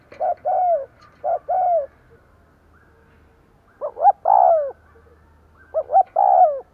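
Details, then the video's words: Lure spotted dove cooing to draw in wild doves: three phrases of low mellow coos, each a pair of short notes then a longer descending hoot. The phrases are separated by pauses of one to two seconds, with faint low background hum. "Tiếng cu gáy mồi gù gáy kích bổi nhanh nổi"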